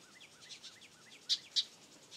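House wren nestlings give a fast run of thin, arched chirps, several per second, broken by two sharper, louder squeaks. Faint background hiss throughout.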